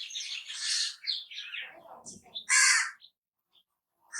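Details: Crow giving one loud, harsh, broadband call lasting about half a second near the middle, preceded by softer rasping notes and a few brief chirps from other small birds.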